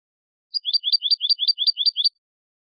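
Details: Goldfinch song copy for singing-contest training, clean Malaga style. A rapid, even series of about eight matching high chirped notes forms a tight rhythmic trill, with no other sounds.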